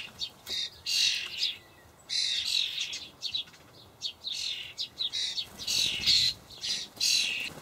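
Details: Begging juvenile common starlings in a Hamburg allotment garden, late May 2012, as parents deliver dried buffalo worms; dense run of raspy wheezing bursts with quick chirps, nearly continuous.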